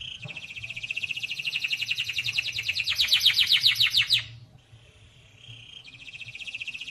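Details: Canary song: a long, dense, rapid trill that rolls on for about four seconds and grows louder toward the end, then breaks off. Softer trilling resumes after a brief quiet gap. A faint low hum is present.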